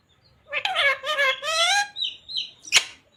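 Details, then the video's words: Parrot speaking phrases such as "jai shree ram" and "radhe radhe"; one bright, squeaky, word-like utterance of a few syllables, then soft whistled notes and a sharp click near the end. "Parrot talking radhe radhe | Parrot talking jai shree ram | Parrot talking sita ram | Mummy Papa"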